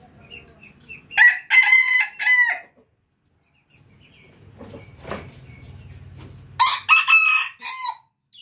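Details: Red junglefowl rooster crowing: two loud, harsh, multi-part crows separated by several seconds of near-quiet, each rising then breaking into a ragged trailing note, with softer low clucking and rustling between them.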